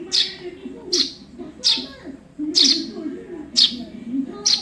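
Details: Fledgling Eurasian tree sparrow calls recorded to train cage songbirds: six high, piercing chirps at slightly uneven intervals of about a second, with a murmuring low background sound throughout.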